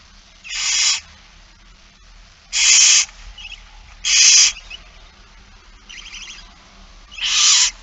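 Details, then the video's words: Barn owl nestlings at a feeding in It Fryske Gea, 8 September 2019, late afternoon: loud, harsh hissing screeches, each lasting about half a second, four clear bursts with a fainter one between, over a low background hum. "Kerkuil It Fryske Gea 2019 09 08 16 02 voedering"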